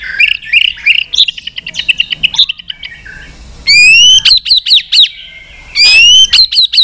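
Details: Fighting song of a white-rumped shama using many voices, sung to provoke a rival: quick chattered whistles at first, a brief pause, then loud ringing high notes rising in steps, separated by sharp clicks.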